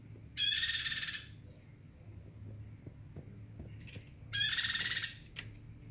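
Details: Bar-winged prinia in vigorous song, giving two harsh buzzing rattles about four seconds apart, each under a second long, with quiet low hum and a few faint clicks between.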